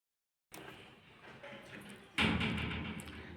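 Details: A door slides open after a moment of silence, then slams loudly, with a dull room hum and no animal voice.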